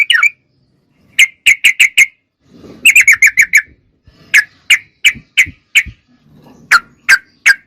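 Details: Sooty-headed bulbul singing actively: short, bright chirped notes in loose bursts of three to six, separated by brief silences, with a lone note at the start and three spaced chirps closing the sequence.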